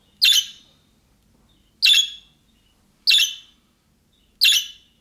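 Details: Budgerigar calling in the manner of young birds to draw a response from other budgerigars: four scratchy, high chirps at irregular gaps of one to two seconds.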